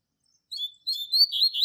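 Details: Double-collared seedeater tutor bird, classic Tui Tui Zel Zel training song: the opening of a phrase with high whistled notes followed by slurred, warbling notes that stop abruptly.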